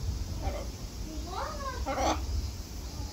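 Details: Talking macaws, Harlequin and Catalina, at Atagawa Tropical & Alligator Garden, Japan: two brief, gliding, speech-like utterances near the end, with rising and falling tones, over constant low background hum.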